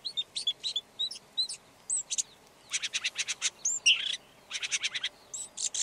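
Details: Red-backed shrike song: a scratchy, varied chatter of short clicks, dry rattling bursts and brief high whistled notes, given in quick runs separated by short pauses.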